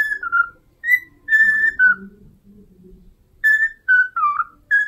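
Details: A cockatiel sings a phrase of the Totoro theme in pure whistles, alternating higher and lower notes in two bursts separated by a pause filled with a faint low hum.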